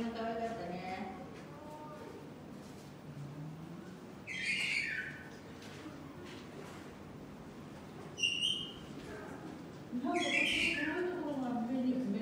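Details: Superb starling at Saitama Children's Zoo, Japan, on 17 October 2021, sings in scattered bursts of buzzy chatter and clear high whistles while people talk nearby.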